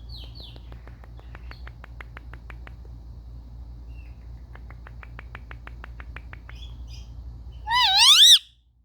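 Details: Pet Indian ringneck parakeets playing at home, recorded on a phone: a long run of soft, rapid ticking clicks, then near the end a loud, brief, wavering squawk with rich harmonics.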